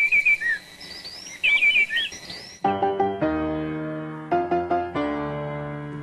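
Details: Wood wren song of clear, high whistled phrases with quick slurred notes lasts about two and a half seconds, played as an example of elegant, music-like birdsong; sustained musical chords then take over.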